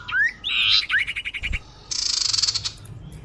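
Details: Common iora sound used to lure birds: a rising whistled slur, a buzzy note, a run of about eight quick upswept chirps, then a long rasping rattle.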